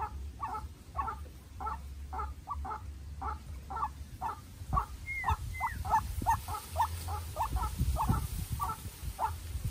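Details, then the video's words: A young decoy White-breasted waterhen calls against a wild rival in an intense duel. Rapid double croaks run in a steady series, and a brief rising whistle cuts in midway over low background rumble. "Quốc Mồi Tơ Ra Trận Gặp Bổi Rừng Đấu Cực Căng"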